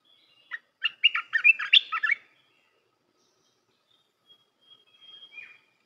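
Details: Training song of a Red-whiskered bulbul for young birds: a fast run of about a dozen chirping, warbled whistles over one and a half seconds, followed by quiet and a faint thin whistle with a soft slurred note.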